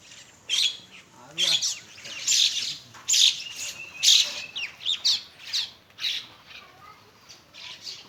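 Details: Morning feeding flock of common mynas in Bangladesh gives harsh, rasping squawks, roughly one a second, mixed with short scratchy chatter.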